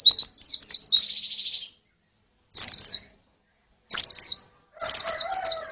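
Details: Pleci (white-eye) female and colony calls for coaxing song from a male; high slurred chirps ending in a brief buzzy trill, then three short separate bursts of sharp high notes with pauses between.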